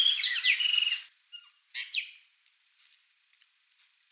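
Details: Flock of Chopi blackbirds at a feeder: a dense one-second burst of loud overlapping whistles and squawky slurs opens, followed by a few short whistled notes and faint chips trailing off into quiet.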